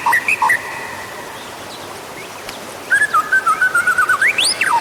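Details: White-rumped shama song used to prompt other birds to sing: a few whistled notes, a pause, then a rapid stuttering series of notes ending in a steep rising and falling whistle.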